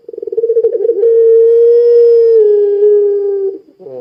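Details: Lure-singing puter pelung dove: a quick burst of pulsed low notes runs straight into one long, smooth, slightly falling coo lasting about two and a half seconds.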